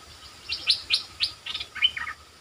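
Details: Streak-eared bulbul calling as a decoy for wild birds: a string of about nine clipped, slurred chirps, the first four evenly spaced and sharper, the last ones lower and warbling, over a faint hiss of background noise.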